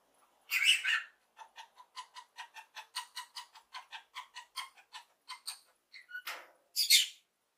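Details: Lovebird parrot chirping happily: a loud harsh screech, then a rapid series of short clicking chirps about five per second, ending in a brief squeak and another sharp screech.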